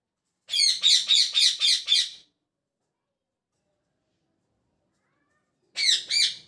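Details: A pet parrot in the morning gives a quick run of five harsh, buzzy chirps, then falls silent, and adds two more after a pause.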